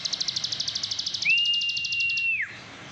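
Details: Plain prinia, known in Indonesia as ciblek sawah, giving ngebren nonstop song. About a second of quick, high, buzzy pulses runs into one long, flat whistle that rises in and falls away.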